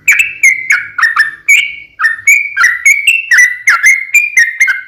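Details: Fighting-style lure song of a sooty-headed bulbul, used to prompt other bulbuls to call back; steady string of loud, bubbly whistled notes, each briefly rising, with a faint low hum underneath.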